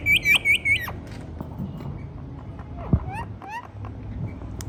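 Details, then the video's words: Indian ringneck parrot at home: four rapid, shrill screeches open the sequence, then quieter scattered chirps and a few fainter rising notes against steady low background noise. "Talking Parrot Making Natural Sounds"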